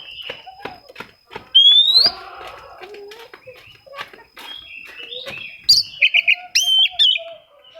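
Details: Oriental magpie-robin singing while seeking rivals, a song used to provoke quiet birds into singing; scattered short notes, then a loud rising whistle and a burst of sharp, varied whistled phrases near the end, with a steady high electrical tone.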